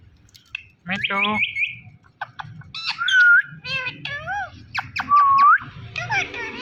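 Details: Indian ringneck parrot talking in a dense run of harsh, speech-like syllables and squawks. Bright rising and dipping whistles are woven through, with a steady low hum behind.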